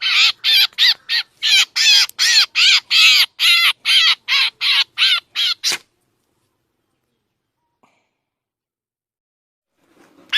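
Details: Lure recording of a drongo for trapping birds: a run of about fifteen harsh, grating calls in quick rhythmic succession, abruptly ending, then several seconds of silence before another call starts.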